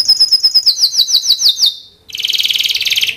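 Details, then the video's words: Timbrado canary singing a clear, rapid series of repeated whistled notes, then after a brief pause a fast, rolling, evenly pulsed trill. "Timbrado canary singing beautiful melody"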